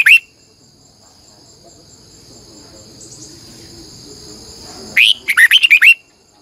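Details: Red-whiskered bulbul's morning training song in a long twisted double voice: a clipped note at the start, then one full rapid phrase of rising and falling warbled notes near the end over a steady insect drone.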